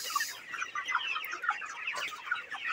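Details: Chorus of a broiler flock at 29 days of age on a farm, with many short chirps and peeps blending into a constant busy murmur, a few sharper notes rising above it.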